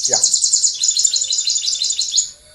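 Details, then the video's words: A purple sunbird's song, a fast, thin, high-pitched twittering run of sweet notes lasting over two seconds, given when the breeding season begins to maintain territory; brief murmur of a voice at the start. "So this would be the song of the purple sunbird. Is that correct? Yeah, that would be the song of the purple sunbird and it's typically going to be given sometime uh when the"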